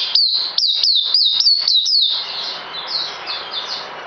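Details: Caged songbird, recorded 9 December 2018 shortly before deworming, gives six loud, crisp downslurred whistles in about two seconds. The notes then fade into softer, smeared chirps.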